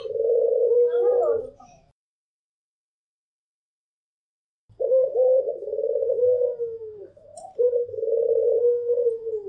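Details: Barbary dove coos, from a white pelung bird and a local dove, singing strongly: one rolling coo, a silent gap of about three seconds, then two more long coos back to back.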